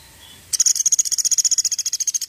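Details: A Sampit woodpecker gives a very high, sharp trill of about twenty evenly spaced ticks in under two seconds, fast like a burst of shots.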